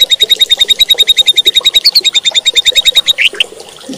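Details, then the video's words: White-rumped shama song meant to provoke other shamas into aggressive singing: a fast, even string of sharp high notes repeated about three times a second, ending in a few slurred, lower-pitched calls. "bikin MURAI BATU LAIN JADI GACOR EMOSI,,MUNTAH ISIAN"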